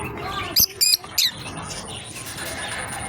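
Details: A pair of lovebirds playing together gives three short, sharp, high chirps in quick succession within the first second and a half, followed by a steady background hiss.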